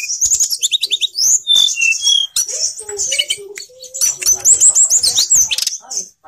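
A Pied Bushchat sings a lively, nonstop stream of high, sweet whistles, trills and quick chattering notes, with a few lower tones in between.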